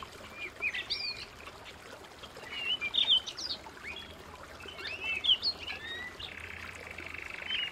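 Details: Canary singing at home: scattered high sweeping chirps and whistled notes, ending in a steady buzzy trill.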